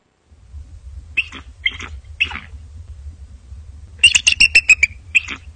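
Bald eagle giving three thin, high squeaky notes, then a fast chattering run of about eight piping notes. A low rumble of wind runs underneath.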